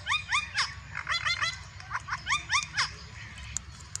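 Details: A green and white Indian ringneck parakeet (Psittacula krameri) gives harsh, rising squawks in quick bursts of two or three, about every half second, with faint clicks and room noise underneath.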